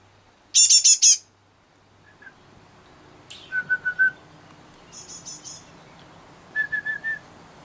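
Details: Great tit calling: a loud burst of four rapid, buzzy, very high notes, then after a pause a descending sweep followed by four lower clipped notes, a faint quick triple of high notes, and a final set of lower repeated notes; quiet background.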